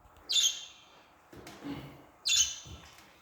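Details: Budgerigar giving two short, harsh, buzzy high-pitched squawks about two seconds apart, with a softer low rustle between them.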